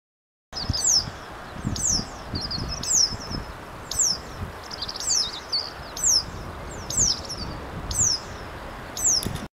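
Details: A Japanese wagtail calling in a rice paddy in Tokushima gives sharp, high, slurred notes about once a second, with a low rumble of wind or handling noise underneath.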